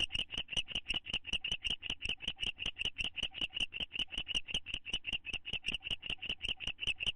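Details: An owl pair inside a nest box, bonding, May 2011. Continuous quick series of sharp, twittering clicks, about two to three per second, loud and regular from start to finish.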